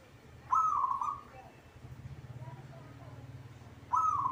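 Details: Caged local zebra dove (perkutut) singing readily: two short bright trilled cooing phrases at mid pitch, one near the start and one near the end, with a faint low hum and a soft chirp between them.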